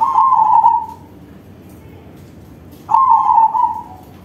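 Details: Two strong, quavering coo phrases from a crossbred zebra dove singing with a big voice, each about a second long and separated by a quiet gap of nearly two seconds.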